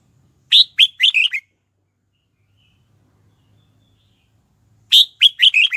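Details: Red-whiskered bulbul singing to call wild rivals in to fight: two short, energetic phrases of four or five clear whistled notes, each beginning with an emphatic high note, separated by nearly four seconds of quiet.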